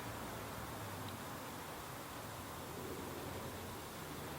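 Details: Faint, even background hiss and distant rumble continue throughout without any animal voice.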